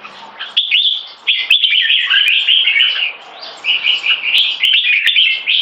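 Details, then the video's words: Two caged competition red-whiskered bulbuls, one in molt, singing against each other: loud, continuous, bubbly warbled phrases with quick chirpy notes, rising and falling, filling nearly every moment, with occasional sharp clicks. "JAMBUL - HIGH PERFORMANCE COMPETITION JAMBULS"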